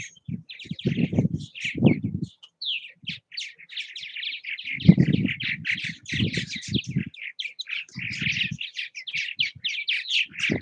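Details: Around bird houses in Southwest Missouri, several purple martins keep up a dense stream of gurgling, chirping notes. Low rumbling bursts of wind or handling noise come and go beneath.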